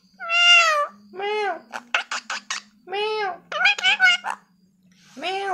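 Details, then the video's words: Parrot talking in a small room, uttering several drawn-out, child-like syllables mixed with short sharp clicking bursts, over a faint steady hum. "Talking Parrot"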